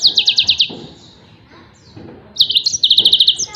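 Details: A yellow-fronted canary's training song for other songbirds, made of rapid high trilled notes, a short silence, then another quick trill with high ringing overtones.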